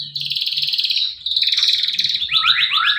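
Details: Male canary singing a lure song for canaries that have gone quiet: a rapid buzzy roll, a brief pause, another fast trill, then a series of sharp downslurred notes.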